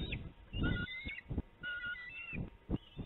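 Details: Bald eagle fledglings at an Illinois nest on a late June afternoon in 2019, squabbling over food a parent delivered; high thin whistled notes, some sliding downward, come in short bursts amid thumps and rustling.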